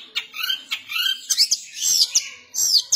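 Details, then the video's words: Long-tailed shrike giving kasaran song: thin rising and falling whistled slurs among quick sharp ticks, with a soft background hiss. "cendet gacor nembak kasaran"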